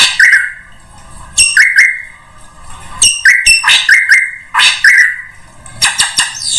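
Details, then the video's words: Used to lure birds of all kinds, a drongo gives steady, level whistled notes alternating with sharp clicks and rasping bursts, in phrases spaced by short pauses. "SUARA PIKAT SRIGUNTING UNTUK SEMUA JENIS BURUNG"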